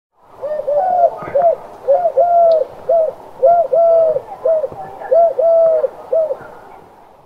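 A dove coos in soft, low, hollow notes, some drawn out and others short, in a steady run of two- and three-note phrases over faint background hiss.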